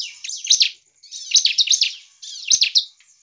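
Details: Bar-winged prinia in energetic full song meant to provoke other prinias into singing: three bursts of sharp, high chirps and rapid descending sweeps, each burst under a second, separated by short pauses, with a faint steady high whine behind.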